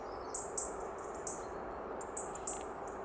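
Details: European robin (Erithacus rubecula) at Črna Pot, Ljubljansko Barje, Slovenia, on 2 Nov 2023, giving very high, thin, short call notes, five or six at irregular intervals, over a steady background hiss.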